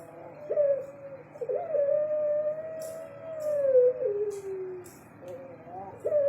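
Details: Long coos from a caged pelung turtle dove: several drawn-out tonal notes, each starting with a short rise and then gliding slowly downward, with faint clicks and a low hum in the background.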